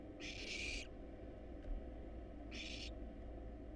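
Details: Barn owl chicks in a wild nest box, hungry during a meal of rat and rabbit, utter two harsh snoring hisses about two seconds apart against a low, even drone.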